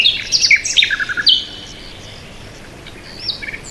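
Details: Birds chirping: a quick flurry of high, sharp twitters and short descending notes in the first second and a half, then near-quiet hiss with a couple of faint distant notes.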